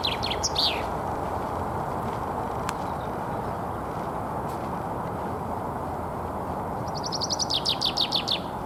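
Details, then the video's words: Common chaffinch singing to defend its territory in spring, Alexander Park, Pushkin, Saint Petersburg, Russia, 17 April 2021; a song's closing notes open the clip, then a fresh run of bright descending trilled notes begins near the end over steady low rumble. "Весенняя песня зяблика."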